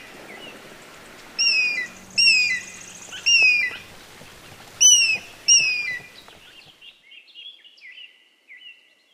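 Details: Eagle giving short, sharp, high, slightly downslurred cries, spaced about a second apart in two bursts of three to four, then fading into softer trailing notes over a faint background hiss.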